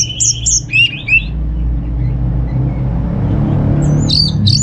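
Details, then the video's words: Orange-headed thrush, a kept bird at home in Singaraja, North Bali, singing as a lure to prompt other birds: short bursts of high whistled, sliding notes at the start and end, a quiet gap between, steady low engine rumble throughout. "Suara ANIS MERAH Berkicau"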